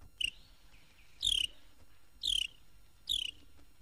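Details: Carolina (Florida) Wren in Florida, 1969 record; sings year-round. Loud, rich downslurred notes, each dropping from high to middle pitch, repeated about once a second over faint background hiss.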